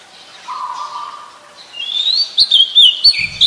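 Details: Wild Oriental magpie-robin singing: a steady mid-pitched whistled note, then a burst of loud, high, sweet whistles and quick slurred phrases near the end, with a short low rustle at the close.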